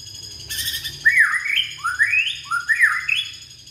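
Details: Indonesian young white-rumped shama singing as a lure for shamas that have stopped singing: a brief harsh burst, then three or four rising whistled slurs at an even pace.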